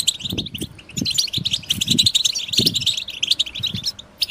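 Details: Several European goldfinches singing at once, a group song to stimulate goldfinches in moult; continuous tinkling, twittering high notes with short buzzy trills, over soft low knocking sounds.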